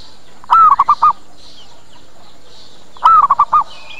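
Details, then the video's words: Zebra dove lure call for attracting other birds. Two cooing phrases about two and a half seconds apart, each an arched opening note and then three or four clipped soft notes. Faint high twittering from other birds throughout. "Suara PIKAT PERKUTUT Cepat Pada Datang dan Nyaut"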